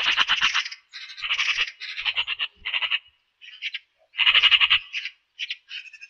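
Eurasian magpie giving harsh, dry rattling chatter in bursts of rapid notes, about four per second, broken by brief pauses; no other sounds.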